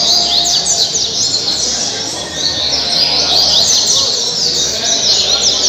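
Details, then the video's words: Double-collared seedeater kept at Mambucaba park, Angra dos Reis, Brazil, singing its caribe-style song: rapid, bright, high chirps and downward sweeps pouring out nearly nonstop, with background hiss. "Coleiro caribe 226 cantos"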